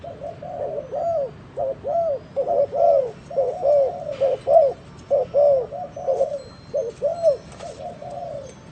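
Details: Unusual cooing from a spotted dove: a steady, almost unbroken stream of low, hollow, slightly rising and falling coos, about one per second, with faint background noise.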